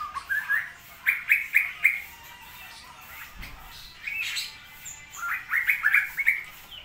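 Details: Caged straw-headed bulbul in Indonesia while rain is still frequent, singing short bursts of rich gurgling whistles separated by a pause, each burst of rapid slurred notes rising in pitch.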